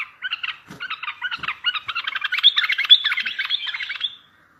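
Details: Bulbul song used to make distant bulbuls answer, for trapping: one continuous rapid chattering warble of quick repeated notes that swells louder, then ends abruptly.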